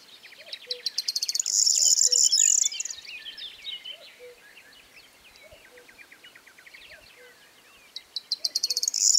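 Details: Corn bunting singing in a meadow near Rozhen Monastery, Pirin Mountains, southwestern Bulgaria, 21 May 2015: a loud, accelerating series of ticking notes that runs into a jangling, buzzy rattle, then begins again near the end. Other birds twitter faintly, with soft low notes repeated regularly.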